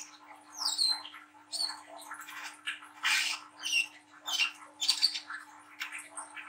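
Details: Spotted juvenile brown-throated sunbird giving a rough chattering song used to stimulate young birds to sing; spaced bursts of scratchy rasps and thin high whistled chips over a soft steady hum.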